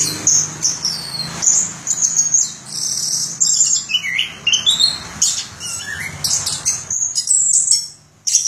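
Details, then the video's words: A nearly unbroken stream of dense, high chattering notes and quick slurs from an orange-headed thrush, with a few lower whistled drops, over a soft low hum. "Suara Burung Anis Kembang"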